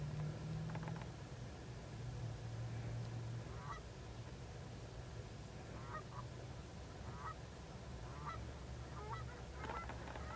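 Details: Several Canada geese give scattered nasal honks at irregular intervals as they take off at dusk, 17 September 2014, recorded from a car, over a steady low rumble of wind or distant traffic; Canada goose.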